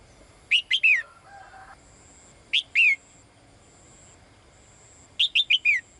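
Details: A female bird calls to draw the male, giving three clusters of sharp high notes. The first and last clusters have four notes, the middle one two, each note falling in pitch, with faint background hum.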